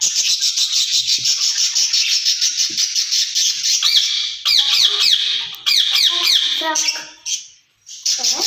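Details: Caged ringneck parrots chatter to each other in Urdu-style talk; a steady hissy, rasping stream gives way to quick broken squawks and warbled notes, ending after a brief silence with a renewed burst.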